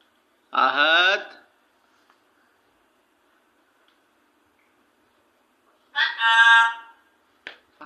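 An African grey parrot speaks two short, voice-like phrases about five seconds apart, rich in harmonics, in a quiet room.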